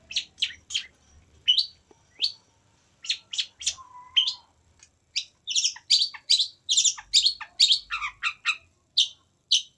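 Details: Long-tailed shrike singing a varied, lively run of sharp chirps and short buzzy notes, becoming faster and denser midway, with a brief lower whistled note between phrases.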